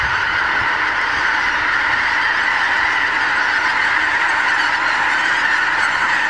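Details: Wild geese by the thousands meet on fields and pastures of the Lower Rhine in the morning, recorded with a Canon HV20 camcorder; loud, even roar of countless overlapping honks filling the whole stretch.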